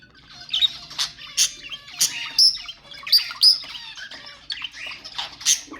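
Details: Budgerigar calls meant to encourage breeding: busy high chirping and warbling with clipped squawks and whistled notes, packed closely with little pause between bursts.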